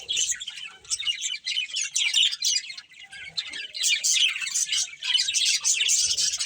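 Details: Chattering budgerigars, a breeding pair, trading quick chirps, squeaks and raspy warbled notes in uneven bursts, the activity swelling toward the end.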